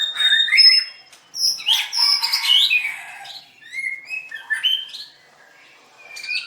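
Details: White-rumped shama, a singing contest winner, recorded 7/25/16 while dancing and singing. A vigorous tumble of high chirps, clear whistles and buzzy trills opens the passage. Sparser whistled phrases and short pauses follow.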